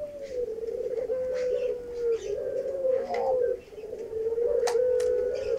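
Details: Indonesian puter pelung dove cooing to its female in courtship; a continuous low, warbling coo that wavers slightly and dips, broken by a short pause before resuming, with scattered light clicks in the background.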